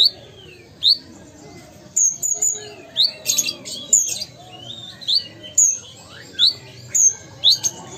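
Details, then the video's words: Ruby-cheeked sunbird from Sumatra with scattered high rising chips and brief descending whistles, plus a short burst of scratchy noise midway, over steady low background hum. "Konin Gacor Kolibri Ninja Asli Sumatera"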